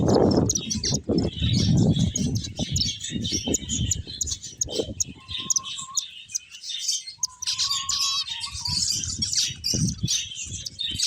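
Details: Finches chirp in a lively chorus of high twitters and trills; a short, steady whistled tone sounds twice midway, amid low rustling and fluttering.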